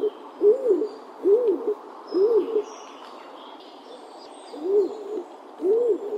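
A stock dove gives low, hollow, rising-and-falling coos, about one a second, with a brief pause mid-series; faint higher bird calls sound in the background.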